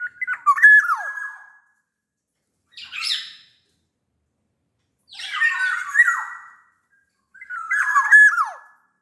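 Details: Sumbawa black-naped oriole singing steadily, used as a lure to prompt other orioles to sing: four bursts a few seconds apart, each mixing rich downslurred whistles with harsher nasal, squawky notes.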